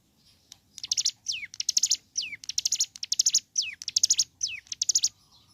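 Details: Ciblek gunung (hill prinia) in lively morning song. A continuous run of dense, high, buzzy rattling notes is punctuated by steeply descending whistled slides. Faint low background hum.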